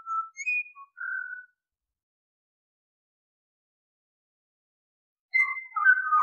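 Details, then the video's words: Pied Butcherbird song: a few clear, fluted whistled notes at mid pitch over the first second and a half, a long silence, then a richer burst of warbled whistles at the end; nothing else audible. "Pied Butcherbird Sounds - The song & calls of one of the world's most melodic songbirds"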